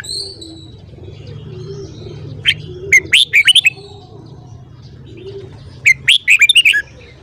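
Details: Red-whiskered bulbul, morning song: a single sharp note, then two bouncy phrases of six or seven rapid, ringing whistles about three seconds apart, over a steady low hum.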